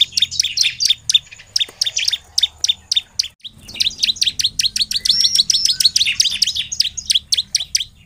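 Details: Bar-winged prinia in nonstop 'gacor' song, used as a lure for other prinias: a long, dense sequence of fast, sharp, high chirps, briefly interrupted then resuming even faster and more tightly packed.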